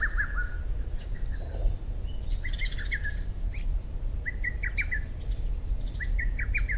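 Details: Lesser cuckoo calling in June after 4 am, recorded with a Sony PBR-330 reflector and ECM-CS3 microphone; staccato phrases of sharp falling notes open and close the passage, while small birds twitter higher in between, over steady low background hum.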